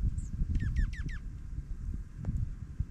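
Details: During snowfall in Minnesota, feeding dark-eyed juncos utter a brief thin note followed by four fast, evenly spaced descending chirps, with a low background rumble and faint scuffing.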